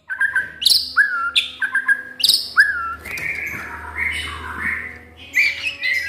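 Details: White-rumped shama kept at home and never entered in contests, singing repeated ringing whistles with sharp high accents, then a looser stretch of softer warbled notes over faint low hum.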